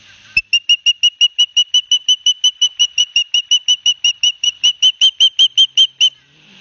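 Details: Two osprey young at their Barnegat Light, New Jersey nest, 9 September 2021, each getting a big fish from the male. A live cam records a fast, steady run of some thirty piercing whistled notes, close to three per second.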